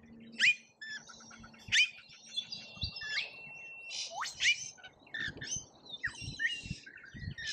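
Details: Lorikeets crowding a feeder during a feeding frenzy in Australia give piercing, rasping screeches and thin whistled notes that overlap in quick succession, with some low knocking sounds in the background.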